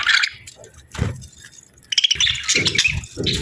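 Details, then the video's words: A budgerigar pair in breeding season gives short bursts of high, scratchy chirps, first briefly at the start and then a denser run in the second half, with low knocking thumps underneath. "Budgie Pair Chirping Sounds"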